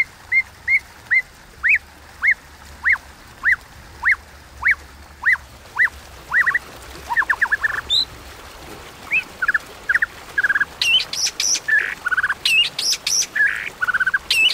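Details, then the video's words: White-rumped shama singing its contest song in the 'kéo thuốc lào' style: about a dozen rising whistled notes spaced roughly half a second apart, then a jumble of buzzy, chattering and high sharp phrases. "Tiếng Kích Chòe Lửa Hót Đấu Kéo Thuốc Lào"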